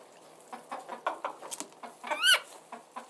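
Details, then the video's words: Scattered short chicken clucks at a moderate pace, then one loud drawn-out rising squawk just after two seconds before the clucking resumes. "Relaxing Background Sounds of Chickens"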